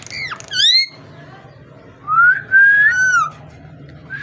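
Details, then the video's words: Parrot giving a quick falling note, then a pause, then two smooth rising and level whistles in succession, against a low continuous room hum. "Amazing parrot so cute talking and voice"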